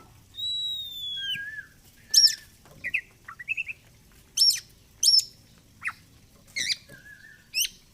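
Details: Oriental magpie-robin singing in fighter style: an opening long whistle dropping to a lower note, followed by a string of short sharp chips, buzzy upswept notes and brief trills at irregular intervals.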